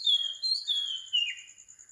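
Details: Oriental magpie-robin in early-morning Sri Lanka, 4 am: one long clear whistle that holds, lifts briefly, then glides downward, with a soft high pulsing sound continuing in the background.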